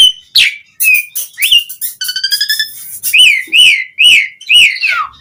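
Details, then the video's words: Asian pied starling (jalak suren) in vigorous song, played as a lure to get starlings singing; sharp rising whistles, a short steady multi-toned note, then a run of arched whistles about twice a second. "Suara Jalak Suren Gacor"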